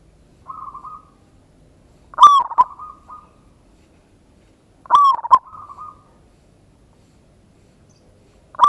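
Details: Local zebra dove giving a loud lure song meant to provoke a reply, in the ngayer kerot nutut style: a sustained cooing note, then stuttering staccato coos near one pitch, with phrases recurring roughly every three seconds in a quiet setting.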